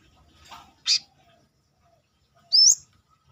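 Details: Brown-throated sunbird singing outside its cage, kept as a song tutor for other birds: a soft buzzy note, then a sharp high note and a quick rising whistled slur after a pause.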